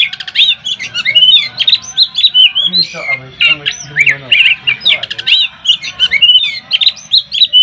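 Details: Oriental magpie-robin of the poci type, a judges' pick, in a rival-provoking contest song: rapid, squawky notes alternating with bright whistled swoops in quick, uneven bursts, with low murmuring in the background.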